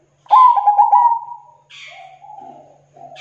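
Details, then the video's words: Zebra dove song: one loud stuttering coo phrase that slowly fades, then a hissy burst and soft, low drawn-out coos. "Suara Burung Perkutut Gacor Tebal Jernih dan Bersih"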